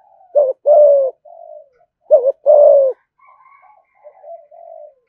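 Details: Caged spotted dove cooing in the thúc gù style: two phrases, each a short wavering coo followed by a longer, steady, slightly falling coo, with softer trailing coos between them.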